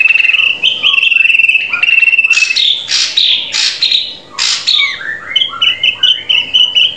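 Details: Drongo song used as a master recording to train caged birds to sing readily: clear whistled notes around a steady pitch, broken by harsh, loud squawking bursts in the middle, then more short rising and falling whistles.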